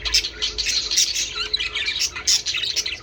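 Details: Budgerigars twittering to prompt breeding: continuous high, scratchy warble mixed with squeaky notes and short squawks, a faint steady hum underneath.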